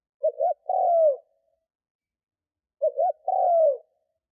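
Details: Spotted dove lure bird cooing to draw in wild doves: two short hooked coos, then a long purring coo that slides down, the phrase given twice about 2.6 seconds apart, no other sounds.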